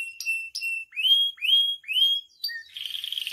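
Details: Captive canary song for training and provoking other canaries: a few flat whistles, then three rising slurred whistles about half a second apart, ending in a fast buzzy trill.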